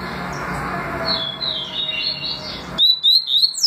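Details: Papa-capim (double-collared seedeater), in a recording presenting the tui tui and deputado song styles: steady background hiss with faint chirps, then abruptly clear, high, rapid whistled notes with sharp upward and downward slurs near the end.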